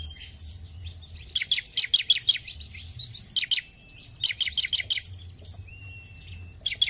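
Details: Bar-winged prinia (ciblek) singing energetically as a stimulus for other ciblek: rapid high rattling bursts of about six notes, interspersed with long thin whistles, one flat whistle near the end.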